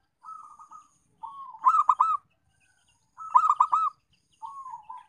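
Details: Zebra dove calling as a lure to get other doves to call: soft purring coos leading into louder rolling stuttered coos, the phrase repeated about every one and a half seconds.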